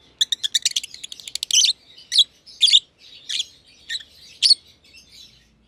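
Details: A green pied personata lovebird, with the flock since early 2020, and a young green personata companion in an aviary. A quick ticking rattle of many short chirps opens, then spaced harsh squawky chirps about every half second.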